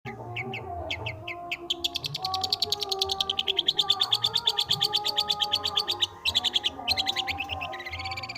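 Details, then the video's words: Long-tailed shrike singing with great skill, playing with notes: a few short chirps, then a long, fast, buzzy trill of repeated high notes that ends in a rising whistle, over soft background music. "Dengerin Burung Pentet/Cendet ini Bisa Gacor Sekali !"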